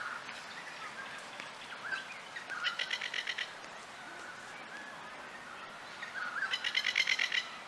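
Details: A plover with chicks at Adder Rock gives two bursts of rapid, harsh rattling notes, about ten a second, over a steady wash of surf or wind noise.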